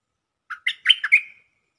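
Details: Stripe-throated bulbul singing from a cage as a lure: one quick burst of five chortling notes ending in a longer, even whistle, in clean quiet surroundings.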